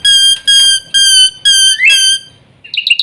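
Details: Black-winged myna uttering a series of loud, nasal, harmonic-rich notes about half a second long, repeated steadily, with a rising slur and then brief chattering at the end.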